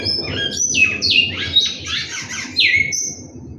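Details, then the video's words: Captive large-billed seed finch singing a loud, fluty phrase of sliding whistles, several dropping sharply in pitch, ending on a long level whistle; faint low hum beneath. "bicudo cantando"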